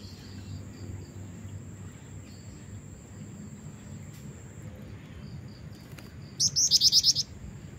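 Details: Female black-winged flycatcher-shrike calling energetically to lure a male: after a long stretch of low background hum, a quick burst of about six high, thin, slurred notes closes the recording.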